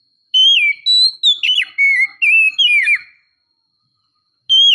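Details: Female Oriental magpie-robin luring the male: a series of clear, pure whistled notes, some level, some slurred downward or hooked, given in a quick run about three seconds long, then a fresh phrase starting at the end.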